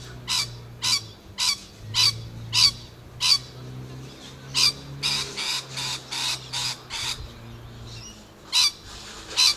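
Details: Rainbow lorikeet recorded on Tuesday 11 November 2014, giving harsh, broadband screeching calls in short bursts, about fifteen in under ten seconds, some spaced singly and some in quick runs, over a low steady hum.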